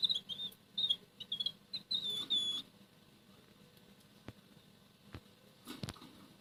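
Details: A red canary sings under its breath in the morning while eating boiled egg yolk; about two and a half seconds of soft trilled and whistled phrases, then only scattered clicks from feeding and a faint hum.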